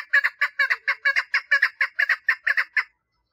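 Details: Calling for mating, a female chukar partridge repeats about fourteen rough, chattering chuk notes, many paired, at a fairly even pace, followed by silence.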